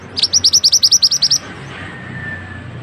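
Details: Mantenan bird singing, used as a tutor recording for training other birds: a fast, bright trill of about a dozen high, sharply rising chirps, evenly spaced over one second, then fading into quiet background hiss.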